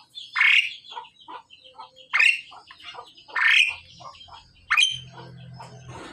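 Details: Male and female pied mynas during pairing give loud, harsh squawking calls, about four main bursts each rising sharply from low to high, interspersed with softer short chirps and a faint low hum.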